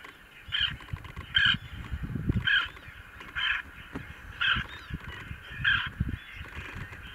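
A common greenshank gives ringing, fairly harsh mid-pitched notes about once a second, six in all, over a low rumble of wind.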